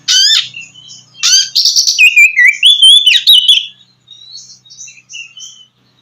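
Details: Oriental magpie-robin song, played to stimulate a bird that has stopped singing. A sharp harsh burst is followed by buzzy chatter and a run of clear whistles rising and falling, ending with soft high notes.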